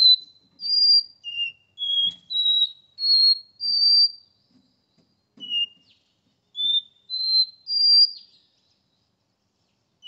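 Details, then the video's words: Capped seedeater kept in a cage in São Paulo, Brazil, performing Porta-voz song: two phrases of pure whistled notes, each run climbing by steps, separated by a short silence, with faint background knocks. "Caboclinho Porta-voz,esse canta lindo de verdade"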